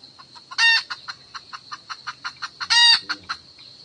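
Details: Decoy hen of highland wild chicken type calling the rooster: evenly spaced short clucks about five per second, broken twice by a loud harsh drawn-out squawk; a steady high insect drone runs underneath.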